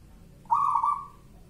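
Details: Local wild-type zebra dove giving a song in the style called bedah karang nabuh kentongan: a single clear, slightly wavering coo note lasting under a second, held level and then fading, over a quiet background.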